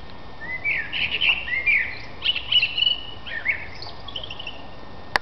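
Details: A thrush in a tree in April 2005 sings a run of varied, high warbled phrases with brief pauses between them, over quiet background noise. A sharp click sounds at the end.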